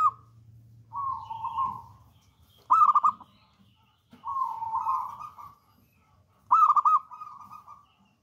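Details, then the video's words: Local wild-bred zebra dove singing as a lure bird: even coos alternate with louder vibrating trills, the pattern repeating about every four seconds, with a faint low hum at the start. "PERKUTUT LOKAL ALAM GACOR"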